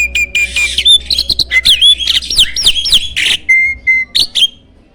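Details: Champion starling kept as a master song for training contest songbirds, loud and spirited: clear whistled notes lead into rapid varied phrases with looping, rising-and-falling whistles and harsh chirps, closing on short steady whistles.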